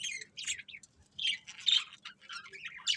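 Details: Happy budgerigars singing while eating: continuous soft warbling with squeaky chirps and short squawk-like notes, rising and falling in loudness, a low hum faintly present throughout.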